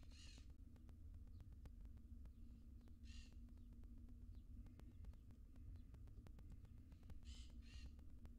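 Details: Wild barn owl nestlings, seven in a nest box, the smallest very small; short breathy hissing bursts come in ones and pairs spread over several seconds, over a steady low hum.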